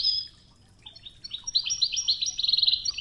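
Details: Goldfinch song in the Oued Toughza style with river water in the background; a high opening note, then fast chattering twitters building into a dense trilled sequence.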